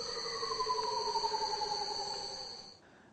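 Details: A Curl-crested Manucode, a bird of paradise, gives a UFO-like call: one long, eerie tonal note that slides slowly downward for nearly three seconds, over a steady high insect-like whine.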